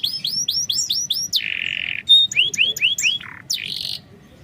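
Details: Lure recording of canary song for a reluctant singer: a row of curved rising-falling whistles, a steady buzzy tone, more curved whistles, then a low note and a short buzz before silence.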